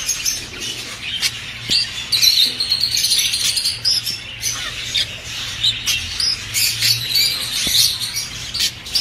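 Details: Budgerigars singing to encourage mating; steady high warbling chatter with a sustained buzzy, whistled thread and scattered sharp clicks and chirps, several birds calling at once.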